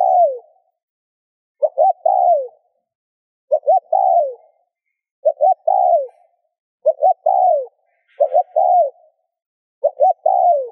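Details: Spotted dove coos meant to stimulate other doves to coo. Six steady phrases, roughly one every two seconds, each two brief hoots followed by a longer coo sliding downward.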